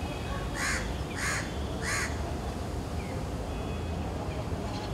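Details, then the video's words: Crow in a banyan tree in hot Delhi summer giving three harsh, hoarse caws about two-thirds of a second apart, over a steady low rumble of traffic and faint calls of other birds. "the din of crows"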